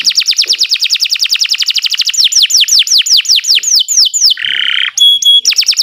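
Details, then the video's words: Kenari Nusantara canary performing a long training song for other birds: a rapid run of short falling notes, slower loud descending whistles, a raspy buzz, then thin high pure tones. "Kicau Burung Kenari 156 II LUAR BIASA GACOR PANJANG Cocok untuk Masteran"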